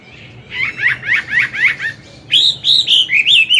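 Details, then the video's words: Chinese hwamei, an old forest-caught caged bird, singing in the morning for training a young bird: a quick series of five downslurred whistles, then a louder run of ringing, wavering whistled notes. "Luyện giọng họa mi hót sáng, kích bổi mau căng lửa."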